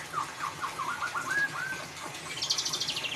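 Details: White-rumped shama giving ngeriwik song as a lure for a non-singing bird: a quick series of repeated chirped notes, a short level whistle, then a fast high rattling trill.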